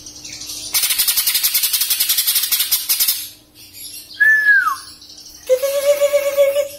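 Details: Young greater green leafbird kept in Samarinda, finished with juvenile plumage and waiting to moult, delivers a fast buzzy rattle, a pure falling whistle, then a steady low whistled note with rippling overtones.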